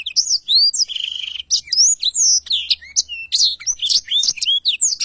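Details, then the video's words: Black-throated canary song used as a tutor recording for training songbirds: a loud, varied stream of high whistled slurs and rapid chirps, with a long buzzy trill near one second, sung almost without pause. "blacktroath gacor cocok untuk masteran"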